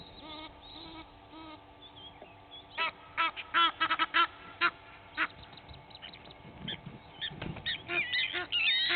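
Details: Egyptian geese, two families fighting at Gowrie dam waterhole on Djuma Game Reserve, Sabi Sand Wildtuin, South Africa, at 06:01 on 04/18/19. Harsh honks come in a rapid burst of strokes between three and five seconds, then scattered quieter calls follow.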